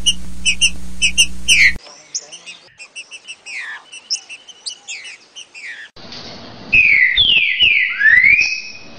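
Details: Green-winged saltator, trinca-ferro, singing the "60 boi" song style used to train young birds: clear whistled notes and loud falling and rising slurred phrases, with abrupt changes in background hum between sections.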